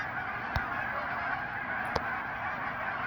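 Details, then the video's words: Hundreds of geese honk at once, a steady, dense wall of overlapping nasal calls, with a couple of sharp knocks. "Hundreds of geese. Focus is bad but sound is incredible."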